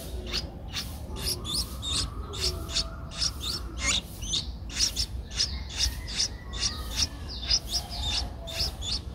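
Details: Streak-eared bulbul nestling, 11 days old, its eyes opened at seven days, recorded in Ubon Ratchathani, Thailand, on 13 April 2023. Thin, high chirps in rapid bursts, several per second and fairly steady throughout, over a low background hum.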